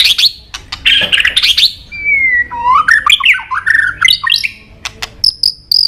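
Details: White-rumped shama, the bird most sought by songbird fanciers, with harsh chatter and clicks, then a long clear whistle leading into varied fluty slurred notes and high thin whistles at the end.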